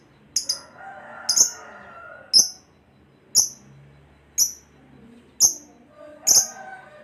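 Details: Caged lovebird for training pet birds, uttering clipped, very high-pitched squeaks about once a second, seven in total, over a quiet background with faint low murmuring.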